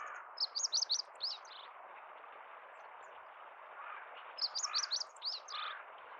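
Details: Male meadow bunting singing in spring countryside of central Hyogo, Japan, April 10, 2021; two bursts of rapid high, sharp chirping notes in quick phrases, separated by a pause, over steady low ambient rumble.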